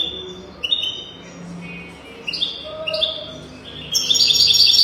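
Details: European goldfinch singing, a tutoring recording for young goldfinches: short whistled notes in quick changing steps, a few lower tones, ending in a bright, fast, buzzy trill.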